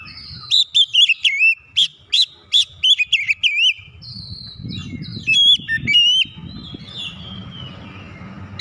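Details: Oriental magpie-robin song used as a lure to rouse reluctant, silent magpie-robins into fast, excited singing; loud whistled phrases of rapid up-and-down slurred notes in the first four seconds, then a thin sustained high tone with low rumbling background.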